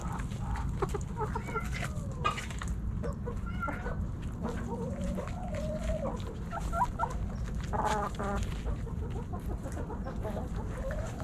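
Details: Hens and roosters in a backyard flock snacking at Thanksgiving; soft scattered clucks and a brief wavering call midway, under heavy low rumble and clicking.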